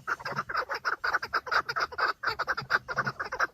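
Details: Male Chukar partridges fighting and displaying for females in the breeding season, filmed from a car, give rapid, harsh clucking notes, about two a second, in an uneven rattling series overlapping like several birds calling together.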